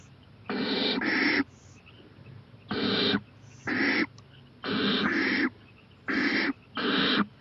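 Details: Getting more daring, an owl sits on a porch at 11:26 pm, 23 April 2018, looking toward a playground; around nine raspy hisses delivered mostly in quick pairs with short gaps.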